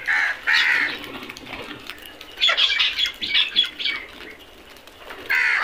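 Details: Crows in a feeding flock give rough, grating caws, a cluster of overlapping calls in the middle and loud single caws at the start and end.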